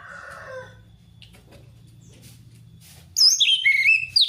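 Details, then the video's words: Orange-headed thrush in 'ngeplong ngalas' style, a lure for a thrush reluctant to sing: low hum and faint sounds, then in the last second a sudden loud, high, twisting whistled phrase. "Anis merah ngeplong ngalass"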